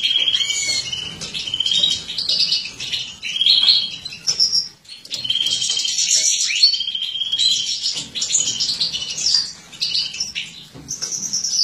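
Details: Mutant European goldfinch female kept in captivity, feeding; long stretch of high tinkling twitter and chirps in phrases of a few seconds separated by short quiet gaps, with occasional whistled notes.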